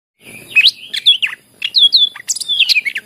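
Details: {'text': 'Greater green leafbird in full song, used as a lure to prompt birds that are reluctant to sing. A rapid jumble of high whistled and chirped notes, with sweeping slurs and quick trills bursting in after a brief silent start.'}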